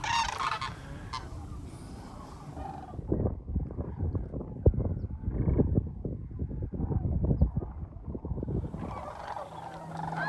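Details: Sandhill cranes calling at Whitewater Draw Wildlife Area, McNeal, Arizona, on January 19, 2023: hoarse, honking calls overlap in a busy chorus over steady low rumbling noise.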